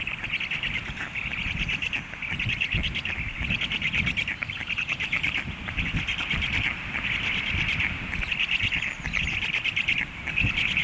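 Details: Hungry stork chicks in the nest after a parent flew off, giving a steady stream of high, rapid, chittering begging notes in pulsing bursts, with low rumbling wind noise underneath.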